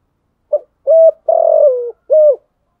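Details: Decoy spotted dove whose call is used to stimulate rival doves to coo: a single clean phrase of a short opening note and three deep, soft coos, the third drawn out and falling, with no other sounds.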